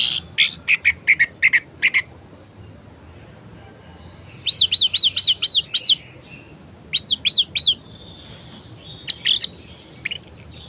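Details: Kept orange-headed thrush in lively varied song, played to rouse lazy thrushes into singing: quick high chips, then series of looping harmonic whistled notes repeated in bursts, separated by brief pauses, ending in a sweeping high phrase.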